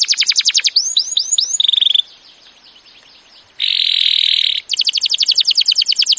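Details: Canary singing a master song meant to set off other canaries: quick pulsed trills and a few rising swoops, a short pause, then a harsh dense buzzing roll and a final rapid trill.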